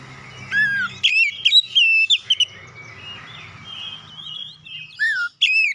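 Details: Oriental magpie-robin song meant to provoke a rival: bursts of sharp whistled notes and slurred descending whistles separated by quieter warbling, over a steady low background hum.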